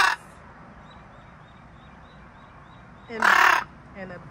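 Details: A crow flying over the neighbourhood during the summer evening bird chorus gives one loud, harsh, rasping caw near the end, then a shorter rough note, with faint high chirps from small birds and a man's voice.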